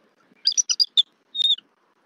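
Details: Female bald eagle reacting vocally to the male delivering a fish at a Southwest Florida nest, November 2024: a quick cluster of high chips and squeaks, a pause, then one thin drawn-out whistle.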